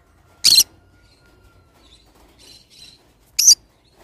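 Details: Two sharp, grating screeches from a pet pineapple green-cheeked conure, roughly three seconds apart, separated by quiet, buzzy little chatter notes.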